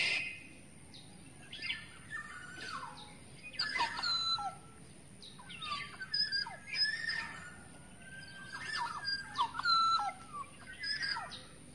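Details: A wild forest black-naped oriole giving a lure call: repeated clusters of liquid whistles and rasping squawks spread through the recording, with overlapping chatter from other birds.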